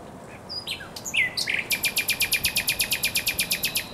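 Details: Thrush nightingale singing at the Żerań Canal on 24 April 2022, in spring: a few scattered high notes, then a rapid, loud, dry rattle of about twenty even clicking pulses over two and a half seconds.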